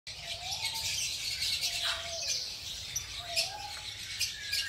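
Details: A wild colony of masked lovebirds, pairing up, breeding and building nests, chatters at once in a constant shrill, high-pitched twittering, with a few lower, smooth whistled notes sounding through it.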